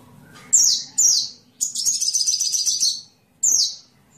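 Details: Sunbird song used for training songbirds: high thin downslurred notes, then a fast buzzy twittering run, then another high slurred note; faint low hum underneath.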